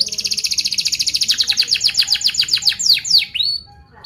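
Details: Young canaries' training song from an actively singing canary: a rapid, evenly pulsed high rolling trill that slowly drops in pitch, finishing with two sharp downward sweeps and silence.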